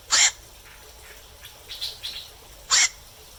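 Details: Two loud, rasping squawks from a night heron after dark, about two and a half seconds apart, with a few softer faint chirps between them against a quiet night background.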